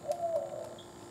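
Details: Eastern screech owl recorded at San Benito, Texas, on 4 June 2016: a low, even, trilled note held for about a second, over a steady background hum with faint higher chirps from other birds.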